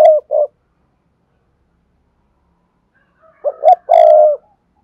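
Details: Low resonant coos of a spotted dove used for luring: two quick notes at the start, a long quiet gap, then a fuller phrase of two short coos and one long sustained coo.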